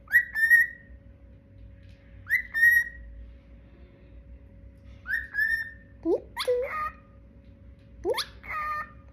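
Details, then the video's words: Adorable bird calling: three clear whistled notes that swoop up and hold, followed by sharper, more varied squeaky and chattering calls, with a steady low hum throughout. "Cute bird making cute sounds"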